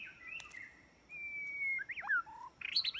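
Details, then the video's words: Trapping-lure song of a white-rumped shama, fairly quiet: soft notes, a long level whistle, then quick sliding phrases ending in a short burst of bright high notes over a background hiss. "Jebakan burung murai batu"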